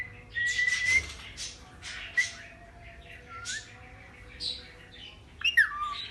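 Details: A talking parrot said to speak the words "mian mithu": thin whistled tones and short raspy squawks are scattered through the clip, ending in a louder bent, squeaky phrase, over a quiet room hum.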